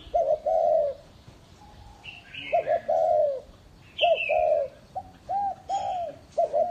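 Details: Decoy spotted dove cooing: quick stuttering coo notes lead into sustained, slightly falling coos, phrases repeated with short pauses, while a higher chirping bird calls faintly in between.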